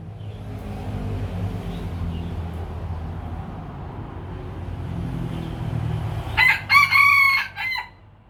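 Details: A Lao rooster crows once: a loud, harsh, harmonic-rich call lasting about a second and a half, rising then holding steady before breaking off, heard after several seconds of low background rumble.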